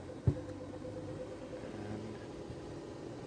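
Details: A safari vehicle's engine rumbles steadily at low pitch, with one sharp knock near the start and no animal calls.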